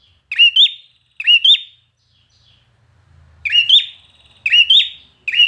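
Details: Competition song of a trained red-whiskered bulbul: bright, clipped whistled phrases, each a two-part swoop, delivered in pairs with a pause mid-way and a faint low murmur in the gap.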